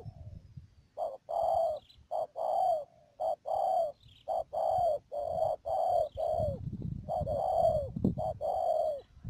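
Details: Spotted dove used as a decoy in trapping, Mương Điều, Đầm Dơi, Cà Mau, 12 March 2019; a long run of soft cooing phrases, brief notes alternating with sustained slurred coos, nearly continuous, high thin whine throughout.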